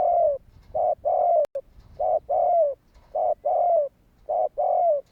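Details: Calling spotted dove, used to prompt other doves to respond, gives a steady run of low two-part coos, a clipped note then a longer falling one, repeated roughly every 1.2 seconds; one sharp click partway.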